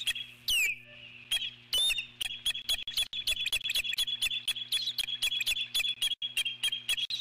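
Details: Eagle on its nest giving alert calls as a large intruding bird flies past, possibly an osprey or another eagle: thin, high chittering notes repeated rapidly and steadily throughout, mixed with sharp clicking and crackling noise bursts.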